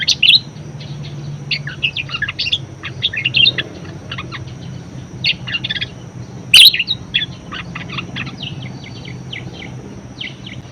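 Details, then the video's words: Budgerigar song used to encourage and train other birds: bursts of squeaky chattering warble separated by quieter gaps, a few louder sharp chirps, over a steady low hum. "BURUNG PARKIT PALING GACOR_SUARA MEWAH_COCOK BUAT PANCINGAN & MASTERAN"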